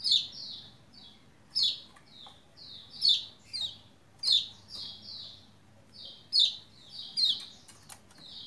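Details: Lombok white-eye song used to prompt other white-eyes into singing: repeated high, thin, downslurred chirpy phrases in short bursts about every second, with faint low background hum.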